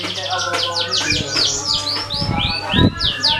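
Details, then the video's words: Canary singing, used to prompt other birds to sing: quick rolling trills and bright downslurred whistles repeated in series, with a few dull low thumps and a constant low hum underneath. "Suara kenari buat pancingan burung lain"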